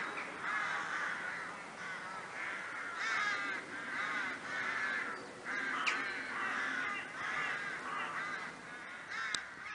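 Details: Many crows in Kloosterbos woodland near Vaals, a crow wood, giving a dense chorus of harsh, overlapping caws that rise and fall in loudness in bursts throughout, with a few sharp clicks and no other clear sounds.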